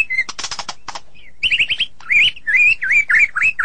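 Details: Sulking white-rumped shama starting with dry clicks, then short whistles and loud rolling warbled phrases that rise and fall.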